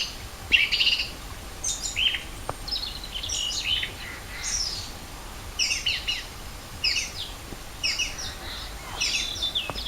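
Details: Birds singing at Rohozianske reservoir, Kharkiv region, on 4 April 2010 in spring; short twittering phrases repeated about every second, fairly regular, against a quiet open-air background.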